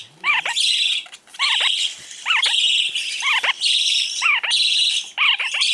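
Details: Rare, energetic lineolated parakeet just arrived at a pet shop in Fukuoka, Japan, calling with quick repeated downward-curving chirps about once a second, over constant bright hiss.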